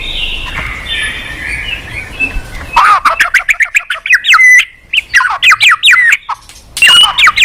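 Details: White-rumped shama song as a lure for a caged bird that seldom sings: soft distant warbling first, then loud rapid chattering notes and sharply slurred whistles in quick sequences.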